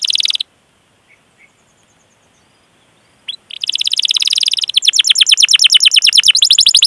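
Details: Domestic canary song for training other canaries: a brief buzzy burst, a pause, then a long fast rolling trill of rhythmic repeated notes lasting several seconds.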